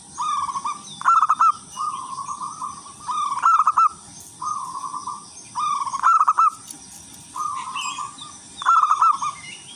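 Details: Local wild-type zebra dove in full, constant song meant as a lure for other zebra doves: evenly spaced purring coo phrases, every second or third one rising into a louder bubbling trill, with steady background hiss.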